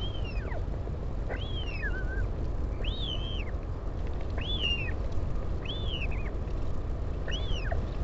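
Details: Northern royal albatross parent visiting its chick at Taiaroa Head near Dunedin, New Zealand, 16 July 2019; a string of wavering, arched whistled calls, one ending in a falling tail, about one per second, amid wind rumble.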